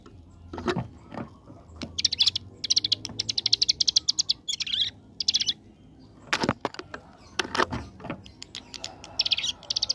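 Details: Ciblek gunung prinia delivering repeated 'ngebren AK47' volleys: quick rattling runs of shrill high notes broken by loud sharp knocks and brief silences.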